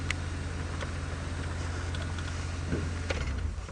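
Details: An idling safari vehicle at sunrise gives a deep steady hum, with scattered sharp clicks and ticks and no animal voices.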